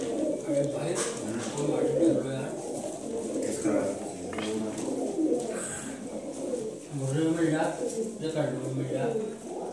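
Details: Kaldume pigeons cooing in a small room: deep, throaty rolling coos in overlapping bursts, a few low gurgles, and some faint rustling in the background.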